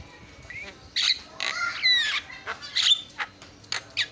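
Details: Javan myna song used as master song to prompt singing: irregular harsh squawks and rasping bursts, some with brief whistled slurs, spaced unevenly over four seconds against a faint steady hum.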